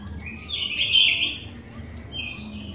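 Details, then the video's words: Energetic sooty-headed bulbul song used to draw out other bulbuls: one loud, full warbled phrase, then a softer short whistle at the end, with a low hum beneath. "Kicauan Kutilang Gacor DOOR, Jagonya Buat PANCINGAN, 100% Pasti Langsung BUNYI"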